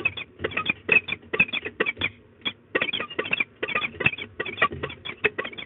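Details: Peregrine falcon pair at De Mortel, Netherlands, scolding on 15 March 2022 at 13:40, female calling for over ten minutes while the male helps: harsh, rapid cackling kek notes in tight bursts of three to six, nearly nonstop.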